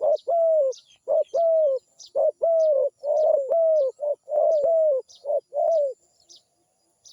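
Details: Zebra dove cooing: short, low, mellow rolling notes in quick bursts, about ten phrases in seven seconds with brief pauses, over faint high chirps from other birds.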